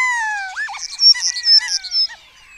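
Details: Early morning in a starling colony in Cabañeros National Park, Spain, during the red deer rut: a starling sings a rapid medley of clear descending whistles, a looping slurred note and high chattering bursts, mimicking birds such as kites, orioles, quails and storks.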